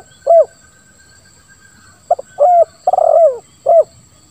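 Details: A spotted dove coos in the 'lambung kuk 1' pattern with a 'ngeruk' voice, used as a lure: a lone coo, a pause, then clipped notes, a steady coo, a rolling falling coo and a last rounded coo.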